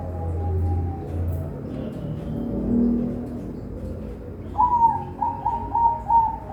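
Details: Zebra dove (perkutut) bred in captivity on a Semarang bird farm in Indonesia. Low murmuring background comes first, then a quick string of five or six bright, clipped coos, repeated about twice per second.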